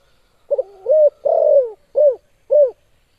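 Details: Spotted dove with a sharp challenging call: a clipped twin note leading into a level coo, then a long falling coo and a pair of short down-slurred coos evenly spaced.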